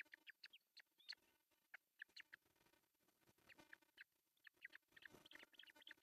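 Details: At a Finnish osprey nest in Pohjois Satakunta, June 10, 2024, with the male delivering a fish for breakfast: scattered, fairly faint high chirps, some in short clusters, with quiet gaps and a little background hiss.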